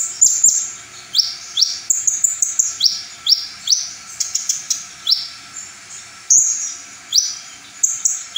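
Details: Full-repertoire ('full materi') song of a brown-throated sunbird: high, thin rising whistles given in quick succession, mixed with crisp chips and brief rattling trills, the phrases repeating steadily throughout.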